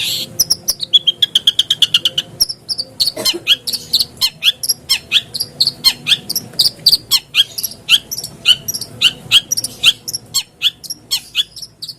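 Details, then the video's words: Lure recording of a long-tailed shrike to stimulate caged birds to sing: opens with a fast, high, insect-like trill, then a long run of harsh, scratchy notes repeated about three times a second. "PANCINGAN BURUNG CENDET AGAR CEPAT BUNYI"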